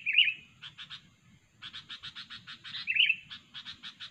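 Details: Chatty sooty-headed bulbul used as a trapping lure: steady buzzy chatter pulses repeated several times a second, with two bright, bubbly whistled notes standing out above them.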